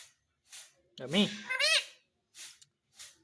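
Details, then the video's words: Talking parrot answering a person: one low human word is followed at once by a thin, high, rasping imitation, with soft breathy sounds before and after. "पापा बोलने वाला तोता _ Talking Parrot"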